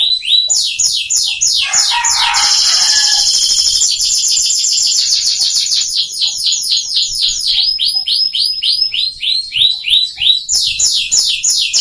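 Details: F1 Scotch Fancy canary brought from Yogyakarta to Bengkulu to serve as vocal tutor for young canaries; loud, unbroken high song of rapid repeated trills and rolling phrases, switching between buzzy and clear whistled notes with almost no pauses.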